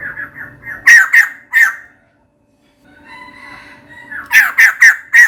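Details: Female white-crested laughingthrush calling for a mate: soft chuckling notes, then three loud raucous squawks, a pause with quieter chattering, and a closing burst of four harsh cries.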